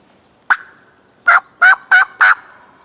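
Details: Young male wild turkey, a jake, gobbling and strutting like an adult about ten yards from a hunter on public land; one sharp rattling burst, then four loud, rapid, gargling gobbles close together in a quiet background.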